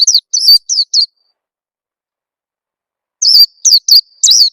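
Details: Lure call of an Oriental white-eye for inducing song: a few sharp, high downslurred chirps, a two-second silence, then four more emphatic, buzzier chirps.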